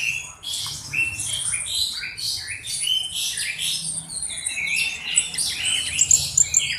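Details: Black-browed reed warbler in lively song, kept as a tutor bird for other songbirds. A varied, scratchy chatter of high, jumbled notes flows almost without pause, with a few brighter squeaks near the end.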